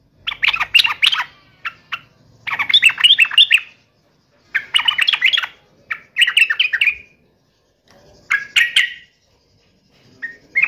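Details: Sooty-headed bulbul, agitated as if fighting, delivering repeated chattering bursts of rich, fast whistled notes with short silent gaps between phrases.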